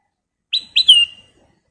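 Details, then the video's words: Sooty-headed bulbul (kutilang emas) singing at full volume, one crisp phrase of two short bright notes and a sustained, slowly descending whistled note, otherwise quiet. "KICAU BURUNG KUTILANG EMAS GACOR"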